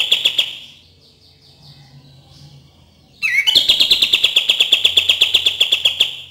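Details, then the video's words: Cream-vented bulbul song used as a lure for birds that rarely sing: after a short opening burst and a quiet gap, a sharp upslurred note leads into a fast, even run of bright, rattling chips lasting about three seconds. "PANCINGAN DAN TERAPI KAPAS TEMBAK KURANG GACOR DAN MALAS BUNYI"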